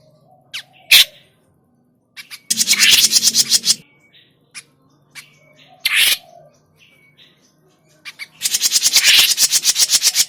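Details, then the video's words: Grey-cheeked bulbul calls for luring birds into traps: scattered sharp chips and faint thin whistles alternate with noisy bursts of rapid, rasping buzzy notes. "SUARA PIKAT CUCAK JENGGOT MINI"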